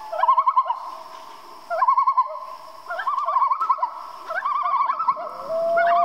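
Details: Common loon at night producing rapid quavering, laughing tremolo phrases, each about half a second long and repeated roughly every second and a half, ending with a smooth rising wail.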